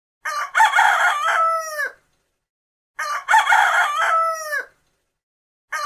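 A rooster crows twice, each a loud, harsh cock-a-doodle-doo of about a second and a half that breaks into a falling, wavering tail, with a third crow just beginning.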